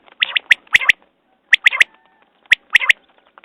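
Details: Quail sounds: three emphatic clicking notes per phrase, spaced in a quick one-two-three rhythm, the phrase repeated every second in otherwise quiet surroundings.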